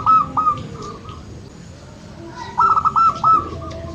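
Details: Local zebra dove used to coax lazy birds into song: quick ringing cooing notes that fade, a quiet gap, then a loud rapid string of about five clear, slightly rising coos, over low background rumble.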